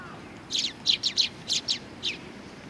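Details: Several Eurasian tree sparrows arriving for food at a Tenmangu shrine on 20 September 2020 give bright, high chirps in loose pairs and singles, about seven notes within two seconds over quiet background hiss.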